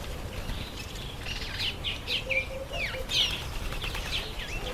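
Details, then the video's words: Masked weaver during the September–October breeding season, giving scratchy buzzy notes and sharp looping whistles in a busy outdoor chorus, with a faint lower tone repeating underneath. "Masked Weaver From a Jack to a King"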